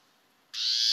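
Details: Warbling Vireo, a woodland-edge bird of DuPage County, giving its characteristic call note: a single harsh, nasal, buzzy note that starts abruptly after a moment of quiet and is cut off before it ends.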